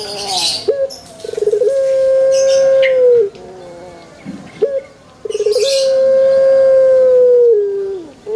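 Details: Puter pelung dove, the long-cooing pelung song style, in a banana garden: two cooing phrases, each opening with a quick stuttering run of short notes, then a long steady hollow tone held about two seconds and dropping slightly at the end.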